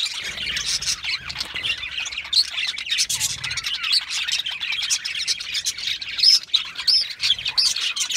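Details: Lively budgerigar chatter of quick chirps, buzzy warbles and a few bright, clear whistled squeaks near the end, all overlapping continuously.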